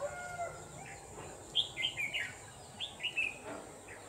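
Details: In the late afternoon of 29 November 2018, a decoy red-whiskered bulbul at a trapping site sings two brief phrases of bright, bouncy whistled notes, with a constant thin high whine behind.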